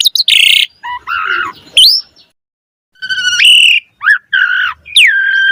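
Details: Black-collared starling song used to prompt other starlings to sing: harsh buzzy bursts, rising whistles and a sliding downward whistle separated by short pauses.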